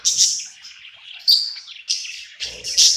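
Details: Happy budgerigar at night in its new home: high whistled chirps and scratchy warbled notes in short bursts, with a faint low murmur near the end.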